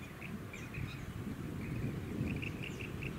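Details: Rainbow bee-eater (Merops ornatus) recorded on Bribie Island, Queensland, in October 2019, giving scattered short trilling chirps, loosening into a brisker cluster near the end, over constant low rumbling wind.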